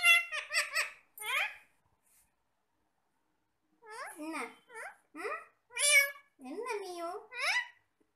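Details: Parrots in cute conversation over a meal of apple, babbling quick childlike speech syllables in bursts, with a quiet gap of about two seconds before a second, longer run of chatter.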